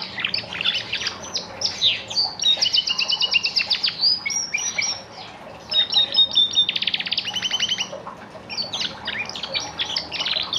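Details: Caged orange canary in full song, with rolling trills, sharp chips and pure whistled notes in bursts separated by short pauses, some trills repeated at a very fast, steady rate.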